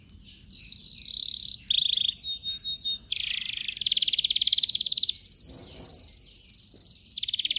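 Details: Caged yellow canary in training, filmed on a Samsung S8 Plus, delivers loud, unbroken song: rolling trills, a few throbbing pulsed notes, then a long steady whistled tone over a rapid buzzing tour, ending in a lower trill.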